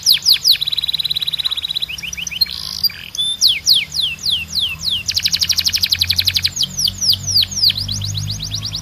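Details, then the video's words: Canary training song that alternates among sweeping descending whistles, smooth even trills, and bursts of very rapid rattling notes, repeated at a brisk pace for nearly nine seconds over a soft low hum. "A Canção de Treino Mais Poderosa da Canary"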